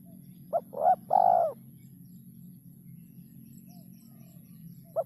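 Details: Spotted dove singing in a rare, hard-to-find rhythm: a short low coo, then a swelling double coo and a long drawn-out hooting note, with another short coo starting again near the end over a faint low hum.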